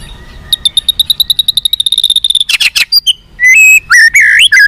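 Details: White-rumped shama fighter song for captive birds: a quickening run of high, thin repeated ticks, a short rasp, then clear held whistles and a final warbled phrase.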